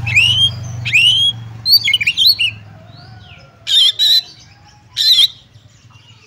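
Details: Oriental magpie-robin fighting song, full of sharp bursts for testing other magpie-robins' nerve: two clear rising whistles, a twisting warbled phrase, then harsh explosive rasps with wavering whistles inside, over a low hum.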